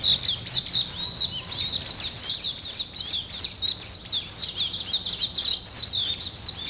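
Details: Birds singing in the morning, a steady stream of rapid high twittering notes, sharp chirps tumbling over each other with no pause, over a light hiss.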